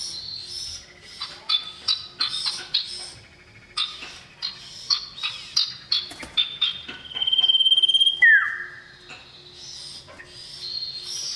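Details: A male common iora calls to a female. Several seconds of quick chirps and short notes lead into one long, level, high whistle that ends in a sharp downward slide.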